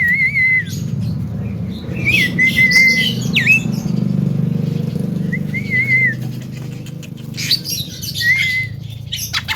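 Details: Young Javan myna singing melodiously in the full isian style, a song packed with varied phrases: clear whistled notes near one pitch, some slurred and wavering, spaced by pauses, over a steady low rumble.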